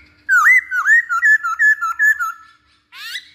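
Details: Masked laughingthrush, played as a lure recording to provoke other birds to sing: a quick run of about ten loud, clear whistled notes that dip and rise, each about a quarter second long, then a brief harsher burst at the end.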